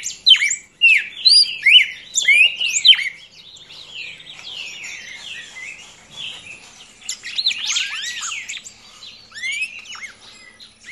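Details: Young red-crested cardinal with a burst of loud whistled slurs and chirps for about three seconds, then softer, more distant twittering phrases with faint background noise.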